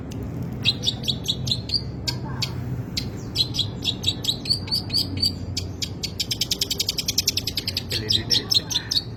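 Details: Long-tailed shrike song full of varied material in a disorderly style: clipped high notes and whistles give way to a long fast chattering series of rapid repeated ticks, slight low hum.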